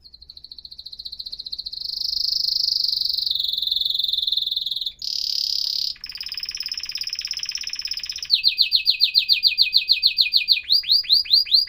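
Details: Canary singing long sustained rolling trills that shift pitch between sections, a short harsh buzzy burst, then rapid repeated whistled sweeps and falling slurred notes in quick succession.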